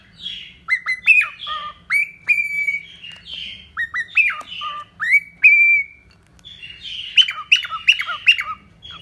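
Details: Pet cockatiel song of rapid whistled notes, many sliding down in pitch, strung into busy phrases with brief gaps and a long steady whistle midway; low hum faintly in the background.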